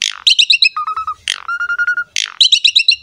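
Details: Asian pied starling in full, vigorous song used as a model for training young and wild-caught birds; harsh rasping bursts alternate with quick rattled chirps and a drawn-out whistled note, repeating about every second.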